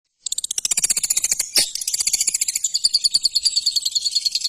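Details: Shrike (cendet) singing: a fast run of high, thin clicking notes about two and a half per second, joined by a bright, buzzy trill that repeats rapidly in a high register.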